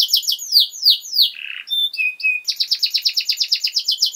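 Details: Canary singing to train young birds: descending swept notes, a buzzy low warble, soft flat piping tones, then a regular fast trill of about eight notes per second.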